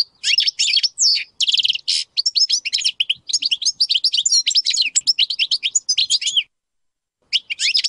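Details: Caged European goldfinch, Major type, pouring out a long, tumbling song of twittering, metallic and buzzy notes in near-continuous phrases, ending after a brief pause with a few more chirps.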